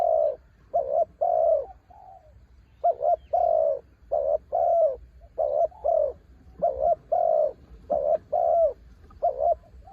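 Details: Spotted dove used as a decoy, a mountain bird singing through strong wind: rhythmic sequence of low, rounded coos, doubled notes alternating with longer held ones, repeated without pause.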